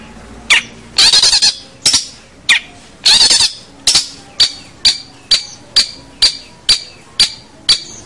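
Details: Long-tailed shrike in full energetic song, used to tutor young birds: a few long rasping bursts, then a steady run of sharp, clipped notes repeated roughly twice a second.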